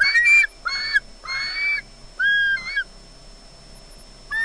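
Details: Osprey on a nest camera at Loch Garten, Scotland, making squealy sounds as if expecting fish: three loud, strident squeals close together, then a shorter, thinner squeal, a pause, and another call beginning.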